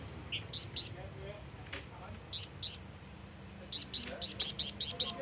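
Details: Flamboyan, or scarlet minivet, giving its call for companions and rivals: a few high chirps in pairs, a pause, then a quickening string of bright piercing chirps, over a low background hum.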